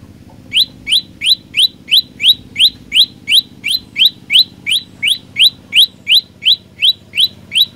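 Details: Song of an olive-backed tailorbird, one of three song variations: after a brief pause, a long even run of about twenty loud, rising chip notes, roughly three per second, with a faint low hum beneath.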